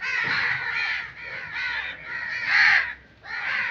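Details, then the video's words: Drawn-out, grating crow caws in nature, four or five long hoarse notes with a short silence before the last. "Crow Sound Effects"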